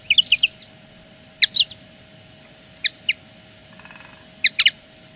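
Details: Common linnet singing as a plain territorial claim: sparse, sharp high notes and short chirps in separated bursts, with a steady low background hum.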